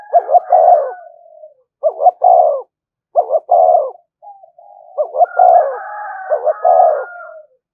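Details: Spotted dove calling to provoke other doves: five phrases, each two quick hiccuping notes followed by a longer throaty coo. Thin higher whistled tones sound faintly behind the first and last phrases.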